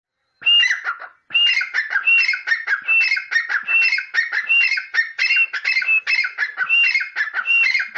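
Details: Grey francolin without a cage, calling loudly and steadily. One phrase, a pause, then a long unbroken series of strident, rhythmic phrases, each with a clear whistled start and scratchy notes, about once a second.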